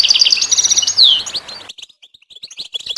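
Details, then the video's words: Goldfinch song from a training recording meant to stimulate pet songbirds and teach chicks to sing: rapid, high liquid twittering and buzzy trills with one sharp descending whistle, then the phrase breaks off into sparse, fainter chirps. "Motivational tones must be available on your phone for your goldfinch to sing"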